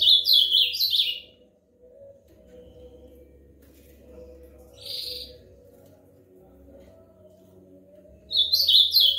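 An Ultramarine Grosbeak sings two quick, rich warbled phrases about seven seconds apart, with a brief buzzy note between them over a faint low hum.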